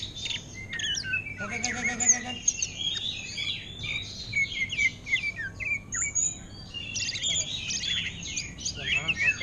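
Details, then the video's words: Greater green leafbird kept caged, pouring out a long, varied run of high chirps, trills and whistled slurs in orange-headed thrush style, with a brief human voice early on. "Cucak Ijo Ngentrok Gaya Anis Merah"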